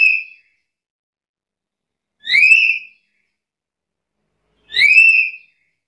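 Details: Black-capped lory uttering loud, ringing, nasal screeches with a brief rising-falling tone, repeated roughly every two and a half seconds.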